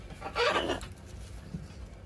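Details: Pet macaw playing with its owner indoors gives a single harsh, raspy squawk lasting about half a second, then goes quiet apart from faint room noise.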